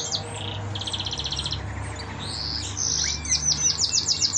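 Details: Young canary, lone surviving chick of yellow canaries, kept indoors with a bare head: buzzy rapid trills at different pitches alternating with a rising whistle and a final fast pulsing trill.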